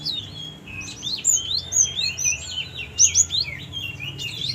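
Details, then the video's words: Java sparrow raised as a pet from a young age, in vigorous song: a fast jumble of high, bright chirps and twisting whistled notes, with louder clusters around the middle and toward the end. "burung gelatik gacorr"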